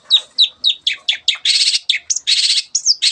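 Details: Long-tailed Shrike (cendet) in full energetic song, said to provoke quiet birds into singing: loud, high, sharply downslurred notes about four per second, broken by two long harsh buzzing bursts.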